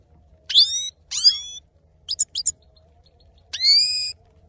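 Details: Singing male saira goldfinch: two buzzy, rising nasal notes, a cluster of short sharp chips, then one long sustained nasal note.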